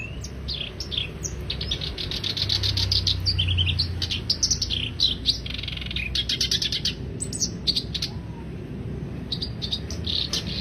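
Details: Black-browed reed warbler delivering a continuous scratchy, chattering song of fast repeated high notes and rattles, over a background drone that swells partway through.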